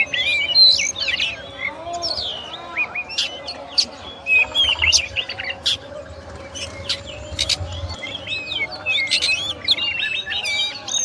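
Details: Continuous varied singing from a kacer or oriental magpie-robin: whistles, trills, clicks and slurred notes mixed throughout, over a steady low-pitched hum.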